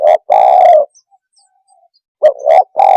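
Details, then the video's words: Spotted dove call for agitating other birds: a short coo and a long burred note, a pause, then a new phrase of two rising coos and another drawn-out purr. "Suara kicau Burung TEKUKUR cepat membuat Emosi burung - TEKUKUR鸟的声音"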